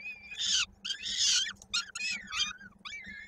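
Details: Peregrine falcon nest in Koszalin on 16 May 2022, feeding with a chick's foot trapped in a beak; loud grating harmonic screams in four or five quick bursts, a few ending in drooping tails, over a low hum.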